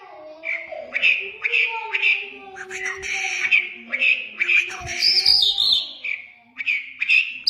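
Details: An Iranian Mashadi lark in full song: a busy stream of bright chirps and twittering phrases, with rapid trills and some harsh squawky notes, over low hum and tonal background sounds.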